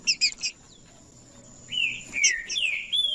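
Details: Green-winged saltator song meant to stir silent birds into singing: a few quick high chirps, a pause, then rich, slurred whistled notes that rise and fall. A thin constant high tone runs underneath.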